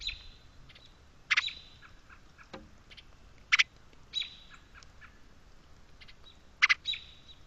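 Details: American robin chirping in the background at a backyard bird feeder in the rain, alongside house sparrows: short, sharp chirps in bursts a few seconds apart, with fainter higher twitters from other small birds between them.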